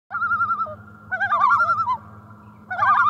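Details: Loons on a lake in spring: loud, wavering, quavering calls in three bursts, the second doubled with overlapping voices, each bubbling at a steady mid pitch, over a faint low hum.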